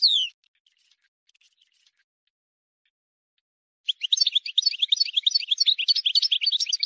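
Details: Wild European goldfinch song for young birds to learn, starting with a single descending whistle, a quiet gap with faint ticks, then a lively run of rapid, jangling twittered notes.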